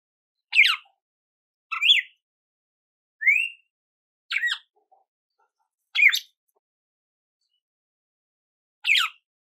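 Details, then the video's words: Red-cowled cardinal in song: brief whistled phrases with sharp rising and falling notes, spaced one to two seconds apart over a silent background. "GALO DE CAMPINA CANTO CARDEAL"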